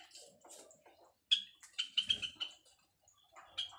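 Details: Mating call of white Java sparrows during their first breeding, building a nest: a burst of sharp, high, bell-like chips in quick succession after a quiet start, then softer clicking notes.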